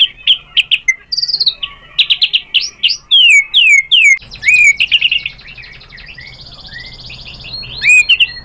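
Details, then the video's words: White-rumped shama provoked into replying: rapid varied whistles and slurred notes in a busy burst, followed by a softer rattling, buzzy trill and a final pair of rising whistles. "MURAI BATU GACOR memancing EMOSI jadi NYAUT BONGKAR MATERI ISIAN"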